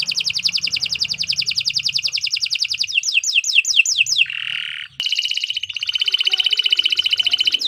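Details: Canary in long continuous song for training songbirds: a fast buzzy trill, a few falling whistled sweeps, a brief nasal buzz, then a ringing rapid rattle of repeated notes.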